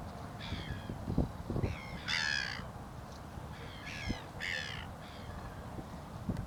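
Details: Southern giant petrel at the Río Gallegos estuary, Santa Cruz, Patagonia, Argentina, on 6 September 2021, giving harsh, raspy, crow-like croaks in short bursts over a steady low rumble of wind or surf.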